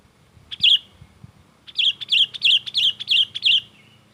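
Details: Energetic, chatty Sooty-headed bulbul song: one bubbly, slurred note, then a rapid run of six or seven similar warbled notes, each about a third of a second apart, with faint low background noise.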